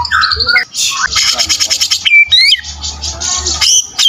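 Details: White-rumped shama (murai batu) in full fighter style with rich song material: loud, fast, varied phrases of sharp whistles, rising and falling slurs, and dense buzzy trills of rapidly repeated notes, broken by brief pauses, over a faint low hum.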